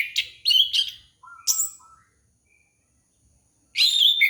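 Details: Orange-headed thrush singing to lure a young bird: sharp high chirps and a low whistled note, then a quiet pause with one faint tone, before a loud, dense burst of rapid warbling.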